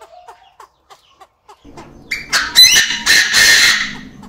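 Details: Captive male Chinese francolin crowing in an aviary. Soft evenly spaced ticking gives way after two seconds to a loud, grating crow of sharp staccato notes and a drawn-out harsh, buzzy ending.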